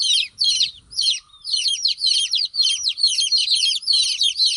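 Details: Several baby chicks chirping together, a busy overlapping stream of shrill downward-sliding peeps, about two per second, with brief pauses between bursts.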